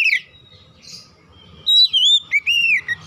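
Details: Oriental magpie-robin lure song for getting untrained birds to sing fast: an opening downslur, a short buzzy note, then a loud clear phrase of a held whistle sliding down into wavering, arching tones.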